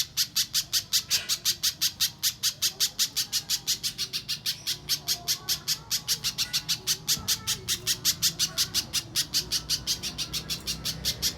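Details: Training master of a banana spiderhunter's clear mbeset song for songbird contests: an unbroken string of piercing high chip notes delivered roughly three per second for over ten seconds, some notes louder, over soft low-pitched background noise.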